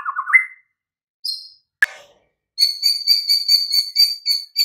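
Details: White-rumped shama master song meant to stir silent, sluggish birds into singing: a low warbled phrase rising to a whistle, a sharp click, then a fast run of evenly repeated high whistled notes with overtones.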